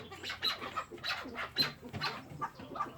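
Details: Chukar partridge kept by its owner, giving a run of rough, clucking notes in quick bursts, about three per second, each note a short harsh chuck with a brief clear whistle-like tone in some.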